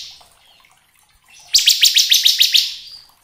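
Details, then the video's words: Bar-winged prinia, kristal variety, singing gacor as a lure for other ciblek: a quiet start, then a burst of about eight quick, high, down-slurred chips lasting just over a second. "Pancingan ciblek agar cepat bunyi gacor ngebren belum 1 menit sudah respon nyaut"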